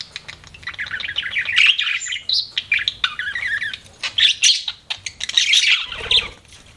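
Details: Pet budgerigars chirping: dense warbled chatter of quick buzzy and whistled notes in rapid bursts, with short pauses between phrases, mostly high-pitched and continuous across the recording.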